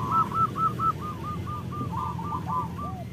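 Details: Local zebra dove cooing; a steady row of short arched hoots, about two per second, with a lower note at the end and a low background hum.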